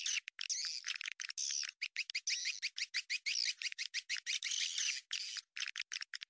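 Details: Swiftlet lure call meant to attract swiftlets to a bird house: rapid, choppy twittering in short sharp bursts separated by tiny silent breaks, high and scratchy throughout, nothing else audible.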